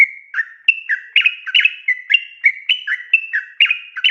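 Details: Rapid "ropel panjang" song of a yellow-vented bulbul, meant to draw a reply from other birds: dense, chattering bubbly whistles, each note a bright slur falling to a lower tone, packed about three to the second and continuing throughout.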